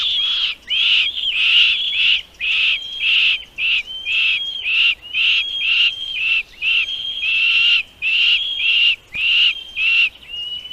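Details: Chicks at a nest being fed by their mother, giving rapid, buzzy, high-pitched begging notes in short bursts about twice a second, with a thin steady whistle-like tone running through the bursts.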